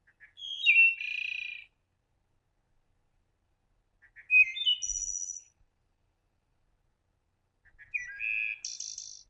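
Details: Wood Thrush song played from birding software, flute-like phrases of three to five notes on slightly different pitches ending in a complex trill; three separate clear phrases about four seconds apart, in silence.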